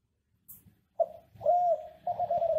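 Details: Captive Kelantan ringneck dove from Indonesia, singing as a master for other doves; a short note, then a long level coo running straight into another slightly falling one, with faint room noise.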